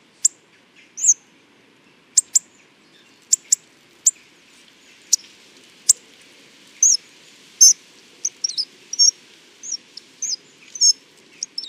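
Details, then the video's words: Hawfinch giving sharp, very high ticking notes, first spaced about a second apart, then quicker with short lisping twitters, over a faint low hum. "Der Gesang des Kernbeissers"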